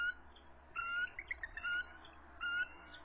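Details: Resident eagle pair at their nest on March 23, 2014, around 7:44 pm, stressed and calling in a defensive crouch as an adult intruder approaches: high harmonic whistles bracket a quick burst of chittering, trilled notes.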